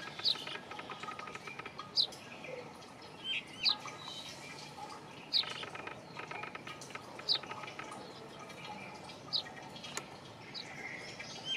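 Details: Brown rock chat, also called Indian chat, a bird of old buildings and rocky areas in northern and central India: short sharp high chirps repeated about every one to two seconds over steady dripping and background noise.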